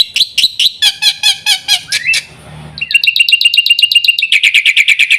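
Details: Black-winged myna mixing harsh squawked notes and a rising whistle, then a fast rattling series of repeated scratchy notes building in loudness.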